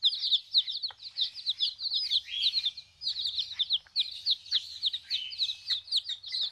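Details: Newly arrived baby chicks in a backyard flock peeping: many overlapping high, short chirps with rising and falling inflections, almost continuous with brief gaps.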